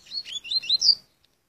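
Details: Curió and Coleiro hybrid singing a rapid, slightly scratchy phrase of about one second, high chirps sliding up and down in quick succession and ending on a sharp bright note, then silence.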